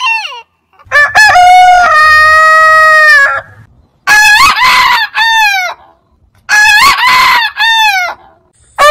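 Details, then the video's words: Rooster crowing from a heritage breed compilation: one long, steady, ringing crow, followed by two shorter crows that each rise, then tail off downward. A faint low hum sits beneath the first. "Biggest Rooster Sound Alarm - Long Roosters Crowning Suara Ayam Berkokok Panjang"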